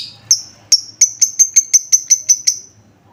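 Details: Lovebird lure sound used to make other lovebirds respond: a rapid train of about ten sharp, high ticking notes, speeding up slightly, each with a thin whistled tone, ending in a fading whistle.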